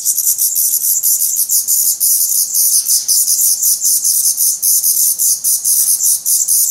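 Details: A nest of hungry Black Redstart young in Portugal, 17 May 2020, whose down is falling away as feathers grow, fills the air with a continuous, rapidly pulsing high hiss of begging calls.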